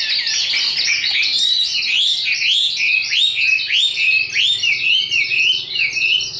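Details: A tame Chinese hwamei, caged and carried by hand, sings high, clear, looping whistles, each note curving up then down, repeated briskly in a flowing, slightly uneven sequence.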